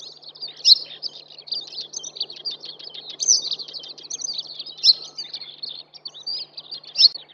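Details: Eastern yellow wagtail singing on the Shimo-Sarobetsu wetland nature trail in Hokkaido, Japan: sharp, high, buzzy notes burst out roughly every two seconds over constant twittering of other small birds and a faint low murmur.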